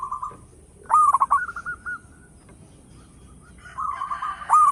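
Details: Local zebra dove with a loud voice, used as a lure for other birds: low cooing phrases of rapid stuttering notes with a rolling ending, repeated after a pause, over a faint high hiss.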